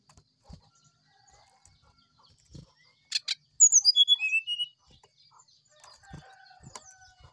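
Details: Morning sulingan song of a brown-chested jungle flycatcher, a flute-style recording meant for training other birds: after two short rasping clicks, a rapid cascade of clear high whistles steps downward and ends on a sustained note.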